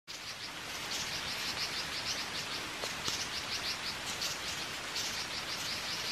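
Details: Red-billed leiothrix from an escaped, established population at the edges of moist forest in Liguria, north-west Italy, giving rapid runs of short, high, chattering notes, several per second, over a steady hiss of background noise.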